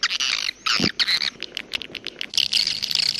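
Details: Short bursts of bright, twittering edible-nest swiftlet chirps in the jaguar style, separated by quick silences, with a denser burst near the end.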